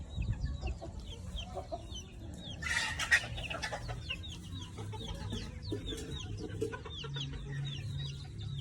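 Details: Many chickens in a backyard. Scattered clucks, then a loud, harsh burst of calling at about three seconds. Small birds chirp high and thin throughout, over a steady low rumble.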